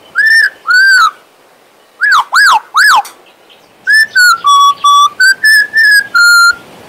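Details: Whistled song of a pet male Western Australian magpie: two arched notes, then three quick rising-falling whistles, then a long run of about ten level and stepped whistles at slightly changing pitches.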